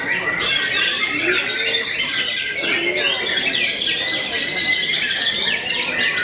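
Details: Nonstop white-rumped shama song from a bird known for overpowering many opponents: rising and falling whistled notes mixed with rapid staccato chips and rattling trills, densely layered.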